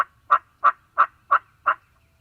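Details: Wild Turkey in Mississippi during spring hunting season, morning: five loud, harsh notes repeated about three times a second, clean and close with little background.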